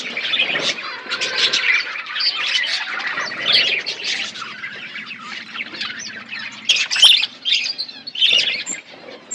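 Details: Budgerigars in a colony chirping, a thick high chatter that eases to scattered calls and then swells again, with a faint steady hum under the birds.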